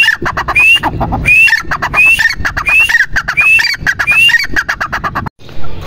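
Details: Repeated grey francolin call, each phrase opening with a sharp upslurred whistle and ending in a choppy series of clipped notes, roughly 86 phrases a minute, stopping abruptly near the end.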